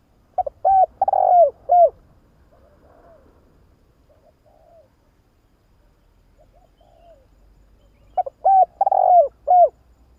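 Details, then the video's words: Spotted dove call played as a lure to attract doves. Two complete cooing phrases, each opening with short notes, swelling into a vibrating coo and ending in a falling note, separated by quiet faint cooing. "Tiếng chim cu gáy nghe là ghiền kích bổi siêu nhạy"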